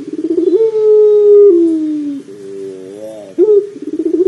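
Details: A long, low, steady coo from a puter pelung dove that drifts downward, followed by a quiet wavering phrase and a rising restart with pulsed notes, from a lure meant to get doves calling quickly.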